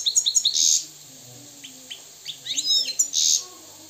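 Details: Wild, pure-bred Moroccan goldfinch singing: quick high twittering notes, bright tinkling phrases and short buzzy bursts, delivered in brisk spurts with brief pauses.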